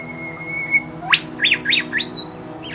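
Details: A male Superb Lyrebird in the Blue Mountains forest near Sydney, Australia, singing territorially, copies a whipbird: a long, thin, steady whistle, then a sharp upward whip-crack followed by several quick, bright chirping notes.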